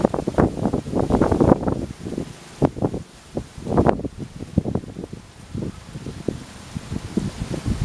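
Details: Irregular rustling and thumping bursts with low wind rumble, no animal voice.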